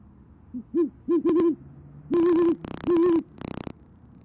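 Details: Great horned owl female calling the male to their nest in Oklahoma City, 28 January 2014 around 6:54 pm: short low hoots building to longer ones, mixed with loud rasping crackle bursts.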